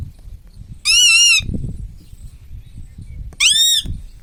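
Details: Pet ring-necked parrot, said to talk mummy and papa, gives two loud, buzzy, steady nasal phrases, each under a second long, separated by quiet room rumble.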